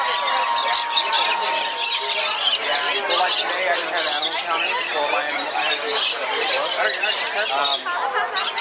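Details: Lorikeets keep up a dense, shrill chatter of overlapping screeches and squawks with a busy crowd murmur beneath, during a lorikeet bird bath in an aviary at the Aquarium of the Pacific.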